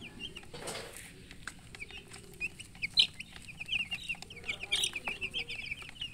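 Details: Chicken chicks giving a busy stream of bright, high peeping chirps, often in rapid trains of short notes, with a few louder peeps standing out and soft rustling underneath.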